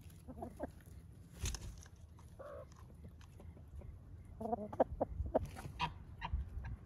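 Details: Hens and roosters at the end of the day, being said goodnight to: scattered low clucks and short murmured notes, a busier run of clucking near the end, over steady low background rumble.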